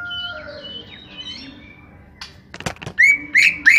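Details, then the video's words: Greater green leafbird, a small-bodied individual, opening with faint sustained whistles, then sharp clicks, then three loud, strident, upward-swept whistled phrases in quick succession. "Setting Cucak Hijau Body Kecil"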